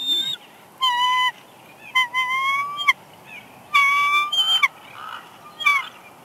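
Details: Female bald eagle on her nest at Big Bear Lake, California, 6 March 2021, whining softly as the male arrives with a headless fish: clear, steady whistled tones with a slight rise, given in separate bursts about half a second long.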